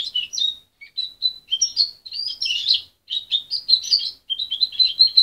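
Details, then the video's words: Young captive goldfinch hybrid, raised by its mother rather than by hand and separated at 23 days, still muddling its song: high twittering bursts of chirps and short whistles, broken by brief pauses. "Mixto de jilguero joven"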